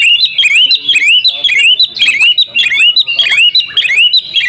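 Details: Female Oriental magpie-robin calling the male so he will sing; dense, loud run of upslurred whistles repeated nearly twice a second, bright and ringing with sharp overtones.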